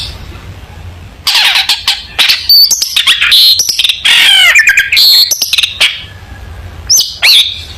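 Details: Long-tailed shrike song used as a tutor recording for young shrikes: loud, varied bursts of harsh chattering and rapid whistled notes sweeping up and down, with brief pauses between phrases.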